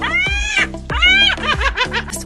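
A gull gives two long, drawn-out mewing cries, then a quick run of shorter yelping notes, over background music.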